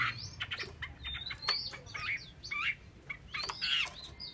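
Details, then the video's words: A female Chinese hwamei utters curving whistled notes, some arching up and down, irregularly spaced at roughly one per second, with low rumbling hum underneath. "con chim họa mi mái"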